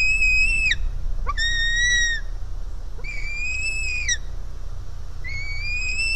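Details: White-tailed Eagle nestling calling from hunger at its nest: a series of drawn-out, thin whistled cries, some flat, some gently rising, each closing with a quick falling slur, about four calls over steady low hum.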